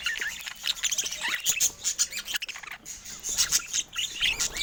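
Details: Indoor adult budgies chatter in fast, high, scratchy warbles and bright chirps, with several birds overlapping throughout.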